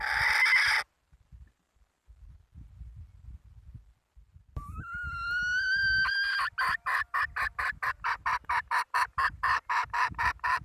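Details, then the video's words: Domestic hen calling: a brief harsh burst, a pause with low rumbling, then a drawn-out rising tonal note that breaks into rapid, regular harsh pulses repeated about twice per second. "Tiếng gà mái"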